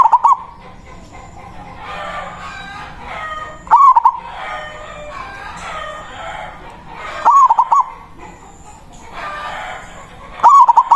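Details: Local zebra dove with a loud voice, singing its manggung coo to call a rival, used as a lure: three short bubbling phrases of four or five quick cooing notes, about every three and a half seconds, over soft background chatter and a thin high tone.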